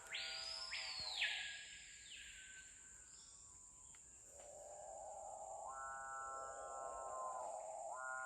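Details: Several capuchinbirds (Perissocephalus tridecolor) call at a lek in Guyana in September 2021, giving long, low, drawn-out cow-like moans with an early harsh burst, over a steady high insect whine and faint music.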